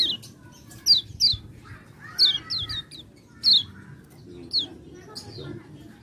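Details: Singing lure of a common iora for lazy birds: clustered falling whistles in quick pairs and triplets, with a faint buzzy trill between them and low background hum.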